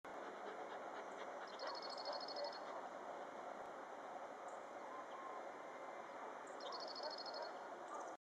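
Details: Cirl bunting, just arrived back, sings two dry, rapid rattling trills of identical high notes on one pitch, about five seconds apart, over a steady roar of background noise.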